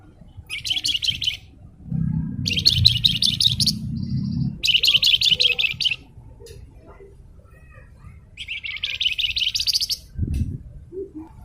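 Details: Blue-winged minla (flamboyan) singing vigorously, a masteran recording: four dense buzzy chattering trills, each about a second long, separated by short pauses, over a low hum and murmuring background.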